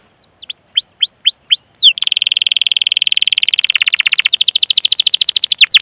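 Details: Canary singing a long rolling 'cuit cuit' training song meant to prompt young, untrained or silent canaries to sing; a few separate hooked upward whistles open into a long, very fast trill that shifts in pitch partway through.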